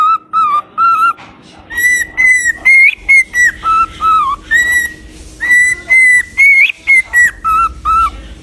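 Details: Parrot performing a long whistled melody of pure tones alternating between a lower and a higher pitch, notes held about half a second each with brief gaps, a low hum faintly underneath.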